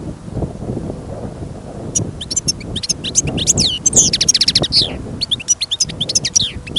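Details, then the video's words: European goldfinch held in a cage for listening, singing confidently outdoors in winter amid fresh snow and gusting wind: after a rumbly windy start, a rapid run of bright, high chirps, liquid twitters and short buzzy trills. "Пение щегла - Голоса птиц. Щегол на прослушивании запел."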